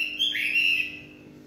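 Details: Chinese hwamei in evening song, giving one brief bright whistled phrase that slides down and levels out before fading.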